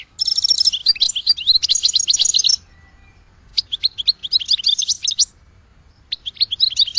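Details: Goldfinch song in three bursts of rapid tinkling, twittering notes, a buzzy trill opening the first, separated by brief silences.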